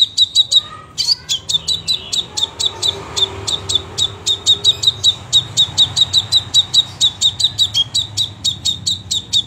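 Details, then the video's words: Crimson sunbird in full song, pouring out a long, fast, even train of sharp high chips several per second, with one louder upswept note early on; quiet low background rumble. "sepah raja gacor tembakan rapet"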